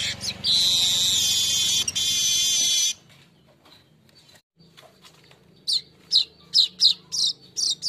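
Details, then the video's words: Golden-headed weaver lure for cage-bird training: a loud sizzling buzz of nearly three seconds, a quiet gap, then evenly spaced sharp high chirps about twice per second. "Pancingan Burung MANYAR"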